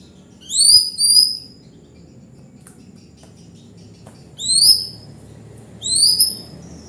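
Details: White-rumped shama singing in an actively singing (gacor) style: pairs of high, clear whistled notes that slide downward, with a pause of about three seconds between phrases over quiet background hiss.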